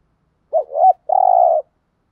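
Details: Spotted dove decoy bird cooing to lure and excite wild birds: a short warbling double coo near 600–800 pitch, then a long, steady, slightly buzzy coo with a pulsing start, clean background.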